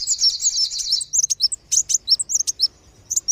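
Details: Lure call of kolibri wulung and sogon sunbirds, used to make wild birds descend: an opening scratchy high trill followed by spaced sharp chirps and brief whistled notes.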